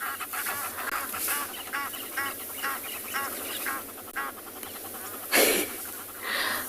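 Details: Egyptian geese calling on or near water at Tswalu Kalahari Reserve, South Africa, at sunset on 12 June: rapid, harsh honking and cackling in uneven bursts, a louder rasping burst near the end, constant background hiss.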